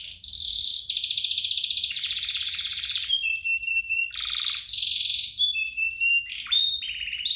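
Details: Two canaries singing energetically as a prompt for other canaries: long dense buzzy trills, abrupt switches to thin level whistles and quick rising chips, varied phrases following each other without pause.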